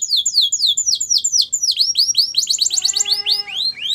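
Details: Canary training song of quick descending sweeps that turn into rising chip notes, then a busy mix of high notes over a steady low whistled tone.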